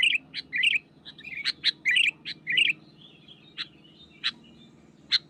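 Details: Sooty-headed bulbul in the wild, singing energetically to press a rival. Bubbly, warbling phrases come in quick bursts, then thin into isolated sharp chirps every half second or so, with a constant low droning background.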